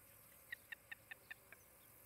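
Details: Osprey at its nest near Charlo, Montana, picked up by a nest camera on 23 July 2018 in late morning: six short, sharp whistled chirps in a quick, evenly spaced run of about five per second, over a steady low background hiss.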